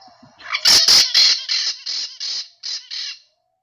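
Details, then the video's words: A Brown-throated parakeet, a social, noisy species, on the ABC islands of the Caribbean gives a rapid series of about eight harsh, high, sharp screeches, loud at first and fading toward the end. "They're known for their sharp, screeching calls, and they are very social and noisy."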